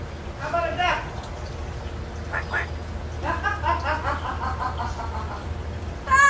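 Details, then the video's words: Pet parrot that talks, kept in an indoor aviary and caged when brought out; a string of soft, wavering, speech-like syllables, with a sharper cry at the end over steady low hum. "sure can talk but he can't whistle yet!"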